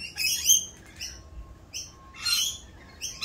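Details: Rainbow lorikeets, more raucous than usual in the mating season during their dance; rasping high squawks in a few bursts separated by short silences.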